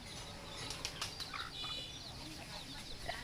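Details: Baby chicks give quick, thin, high peeps in overlapping bursts, with a few brief louder clicks against a constant low background hum.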